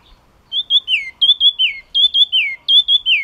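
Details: Yellow-cheeked tit song: loud, clear notes, each a high whistle that slides down and falls away, given in quick repeated runs of paired phrases with short gaps between bursts.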